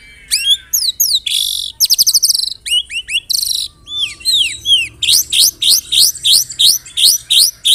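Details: Murai batu song stuffed with canary and cililin phrases: varied slurred whistles, a buzzy trill and rapid rattle, then a steady series of loud hooked chips, about three per second.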